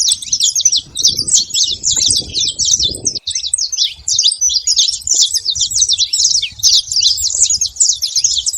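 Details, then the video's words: Large group of saffron finches at a feeder, making a steady racket of high, clipped chirps and twittering notes that run together without a break, with low background rumble in the first three seconds. "muito canário da terra fazendo barulho na seva"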